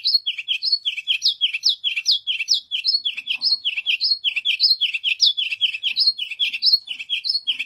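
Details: White canary singing a fast, bright song of rapid slurred chirps that alternate between two pitch levels and repeat in quick, even succession throughout.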